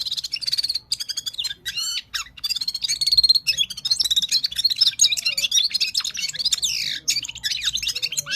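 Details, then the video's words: Himalayan bulbul, called Gulsar, from Parachinar singing loudly, with varied high warbles, sharp chirps and descending slurred notes in fast phrases, separated by brief pauses, against a quiet background. "Gulsar singing parachinar Himalayan top bird full power sings"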